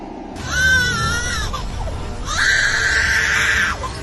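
Lyrebird giving two long, wailing, cry-like notes, the first wavering and the second held steady, each over a second long, with faint music behind.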